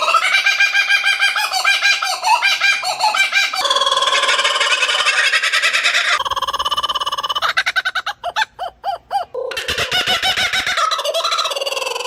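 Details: Laughing Kookaburra giving loud, accelerating laughter of harsh repeated notes, starting low and rising higher, like uncontrolled giggling; seemingly several birds in chorus, a call carrying over long distances.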